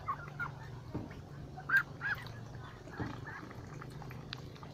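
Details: A flock of ducks by a lake: short, bright peeping calls spaced roughly half a second to a second apart, a couple much louder, over a steady low hum.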